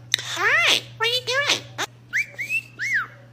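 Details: Mynah talking indoors: short harmonic speech-like syllables rising and falling, followed by clear whistled notes that sweep up and down, with a person saying "hi" nearby and a steady low hum underneath.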